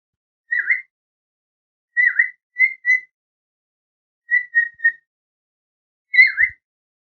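A cockatiel gives clear, whistled chirps, some dipping in pitch, in scattered short bursts.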